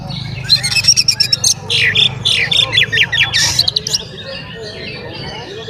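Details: Lively Oriental magpie-robin song meant to stir other magpie-robins into excitement: scratchy chip notes, then loud descending whistled slurs in quick succession, trailing off into quiet background.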